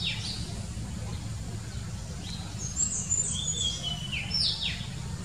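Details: Oriental magpie-robin singing in the morning, giving clear, high whistled phrases with sliding and falling notes in scattered bursts over a constant low hum.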